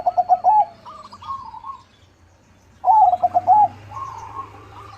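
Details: Perkutut, the zebra dove, singing its crossing song: two loud phrases of quick clipped coos that run into a longer purring trill, separated by a quiet gap, with a low hum in the background.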